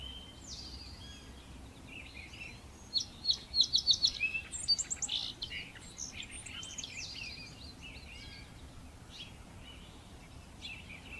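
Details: A brown thrasher (Toxostoma rufum) near a backyard bird feeder sings a burst of loud, varied, chirpy phrases, some repeated, for a few seconds; softer chirps from other birds fill the rest.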